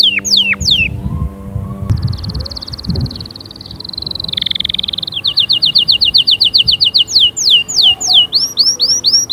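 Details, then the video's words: A canary pours out its song, said to stir other canaries to sing: sweeping downward whistles, a long level trill that slides lower, then quick even pulsed notes and wide falling swoops. "أقوى💪 تحفيز لطيور الكناري📣 أأأستحالة يصمت معها نار نار"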